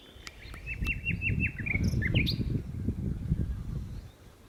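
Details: Common nightingale in song at Berkheide in the Netherlands, recorded 29 April 2018: a fast run of repeated piping notes accelerating into a rattling series, then a rising whistled flourish, with constant low wind rumble behind.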